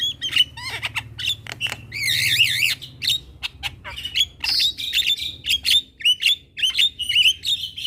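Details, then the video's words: Midday chorus of Javan mynas answering a young bird calling its companions: dense high chattering squawks, a long buzzy wavering warble in the middle, and rapid repeated sharp notes throughout. "Kicauan Jalak Kebo Gacor Siang Hari - Jalak Kebo Muda Memanggil Teman Bikin Semua Jalak Nyaut"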